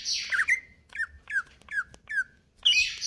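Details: Greater green leafbird, kept in stable condition, singing a rapid chattering 'konslet kejer nembak' song: a harsh buzzy burst, then a series of short downslurred whistles repeated about every half second, ending in another rasping burst.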